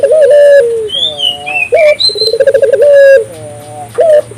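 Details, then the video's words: African collared dove in full voice, meant to set local doves calling: a sustained coo, then a brief note, a rolling trill and a long falling coo, while small birds whistle and chirp in the background. "suara burung puter gacor,merangsang burung puter lokal ikut gacor"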